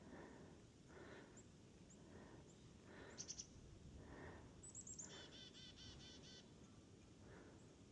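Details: A Black-capped Chickadee at a feeder on a snowy day in upstate New York gives a quiet chick-a-dee call: a few thin, high notes, then four or five buzzy dee notes over a steady low rumble.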